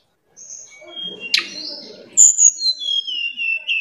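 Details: Sunda robin, known locally as tledekan gunung, with song described as fitting for the afternoon: thin sustained high whistles, a sharp chirp, then a chain of clear whistled notes stepping gradually down in pitch.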